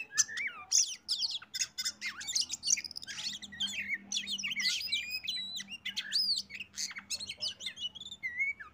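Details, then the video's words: Oriental magpie-robin (kacer) song played as a lure to get other birds singing along: a dense, fast stream of varied high whistles, sharp chirps and buzzy trills, almost without pause. "PANCINGAN BURUNG Kacer biyar ikut bunyi"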